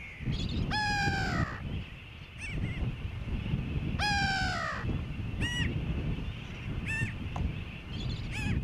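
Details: Grey-backed tern on Johnston Atoll, June 16, 2001: loud, harsh descending calls with stacked overtones, one near the start and another about three seconds later, then shorter clipped notes, over steady low wind rumble.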